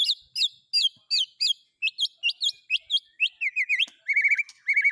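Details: A white-rumped shama sings with speed cililin, canary and lovebird phrases mixed in. It gives a rapid series of high, curling chirps, then shifts to lower buzzy doubled notes near the end. The recording is otherwise quiet.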